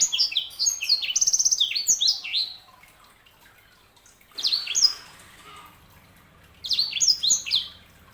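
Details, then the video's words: Sanger canary hybrid singing in bursts of fast, high, downward-sweeping chirps and a rapid buzzy trill, pausing between phrases, over a quiet background. "KICAUAN SANGER"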